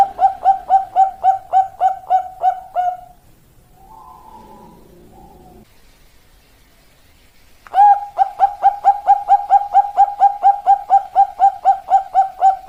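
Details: Zebra dove giving its long song: a rapid series of clear, even cooing notes repeated about twice a second, broken by a quiet gap of several seconds with faint noise, then resuming in a long steady run.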